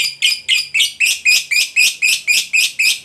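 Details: Lovebird chattering in a ngekek display meant to draw replies from other lovebirds: harsh, shrill squeaky notes repeated steadily, about four per second.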